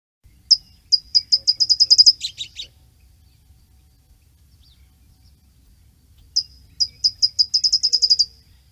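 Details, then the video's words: California Towhee, a common backyard bird, sings two bursts of sharp, high chip notes that speed up into a quick rattle, the first ending in a jumbled flourish, over a faint low hum. "here's the California Towhee and you may not recognize it but you'll recognize this song"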